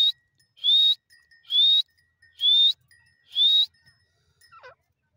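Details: Teetar, the grey francolin, repeating a piercing whistled note that sweeps upward. Four loud calls come at roughly one-second intervals, with a faint steady tone in the background and a soft twittering note at the end.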